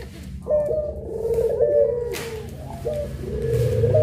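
A Barbary dove gives long, drawn-out low coos in steady mellow phrases, each swelling then fading, over a faint low hum.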